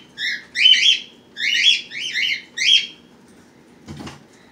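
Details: Pet birds at home with their young, hatched March 31 and April 1, 2018, recorded April 23, 2018; a series of harsh, harmonic chirps in clustered bursts over three seconds, then a brief dull thump.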